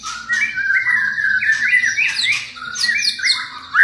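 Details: White-rumped shama singing, played to provoke a response from other shamas: quick warbled phrases with short rising and falling notes and high chips, somewhat softer.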